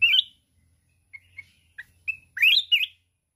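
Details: Mountain red-whiskered bulbul in contest song, flapping its wings repeatedly: a bright rolling phrase, scattered short chirps, then a loud rich run of warbled, looping whistles.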